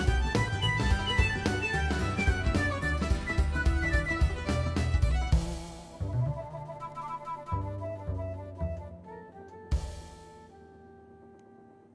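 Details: Orchestral music with strings and woodwinds plays throughout, dense at first and thinning out; no animal sounds are heard.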